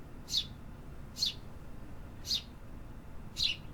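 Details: City birds singing in an urban setting: four short, high, downward-slurred chirps spaced about a second apart over a low steady background hum.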